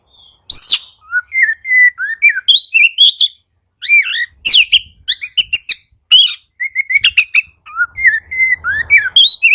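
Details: Lively Oriental magpie-robin song aimed at getting lazy birds to sing: phrases of whistled slurs and clipped chirps separated by a short silence, then a long, dense stretch of mixed notes.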